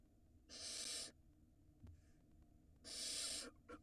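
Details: Barn owl pair on a camera-watched nest in Israel, 2022, during a mouse handover from male to female meant for the nestling. Two short, breathy hisses about two seconds apart, with quiet background between them.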